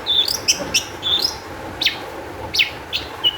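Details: Long-tailed shrike singing energetically, used as a lure recording to get other shrikes to sing: sharp high whistled notes and short descending slurs in quick bursts, some thin trilled phrases, steady faint background hiss.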